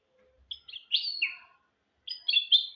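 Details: Goldfinch and canary hybrid giving short song fragments, for tutoring goldfinches and canaries: a few scattered chirps and a slurred descending note, a pause, then a brief cluster of bright twitters.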